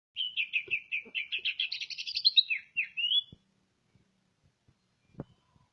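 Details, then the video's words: Greater green leafbird from Ngawi, East Java, singing a rapid run of warbled, buzzy high notes that rise into a bright trill, then a short whistled upslur, followed by quiet with a few soft knocks. "cucak ijo asli ngawi jatim"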